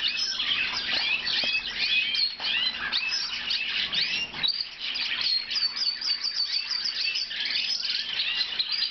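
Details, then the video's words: Blue Lizard canary singing a continuous, dense song of rapid twittering chirps, trills and short whistled notes, sustained without pause across the recording, with a faint low hum beneath. "Blue Lizard Canary Singing a nice song"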